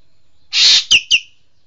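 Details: Green magpie (Cissa chinensis), locally engkek keling: a grating, broadband screech lasting about a quarter second, then two crisp high notes sliding downward, with no other sounds around.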